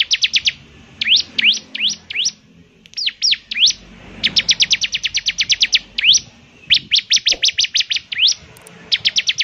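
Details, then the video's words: Bar-winged prinia (ciblek semi) in vigorous song, whose distinctive voice makes other ciblek semi sing along: bursts of rapid, high, sharply swept notes, some dipping then rising, delivered in fast runs separated by short pauses. "ciblek semi gacor, suaranya yang KHAS bikin ciblek semi IKUT bunyi"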